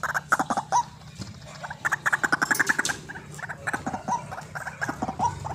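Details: White-breasted waterhen calling, used as a lure for bird trapping: fast, bubbling series of short clucks and chattering notes, some in rapid runs, with harsher bursts between.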